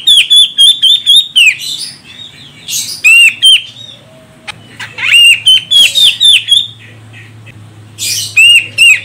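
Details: Calling female grey-cheeked bulbul of the Sumatran Medan form, a lure to make males sing: long runs of fast whistled notes that dip and rise, broken by harsh buzzy bursts, with a faint low hum beneath.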